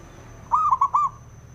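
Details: Male zebra dove song used to excite and provoke other doves into singing: one phrase of three mellow, slightly rising cooing notes, the first longest, over about half a second, with a faint steady high electronic whine behind.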